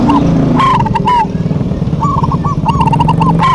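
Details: Local zebra doves in a busy duet: short burbling coo phrases with quick trills, several in a row, partly masked by a heavy low rumble.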